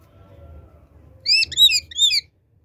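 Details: Pet Indian ringneck parakeet, a talking bird said to speak Urdu and Hindi, giving three quick bursts of harsh, high chirping squawks with bright layered overtones, over a low indoor hum.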